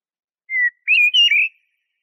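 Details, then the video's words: Single Eurasian blackbird phrase: a soft level whistle, then a richer warbled run of three fluty notes. Nothing else audible. "تغريد طائر شحرور (جحمومية)Merle noir"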